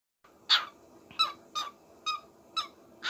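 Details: Small pet parrot calling indoors: a series of harsh, buzzy squawks, each short and bright, repeated roughly every half second over faint room hum.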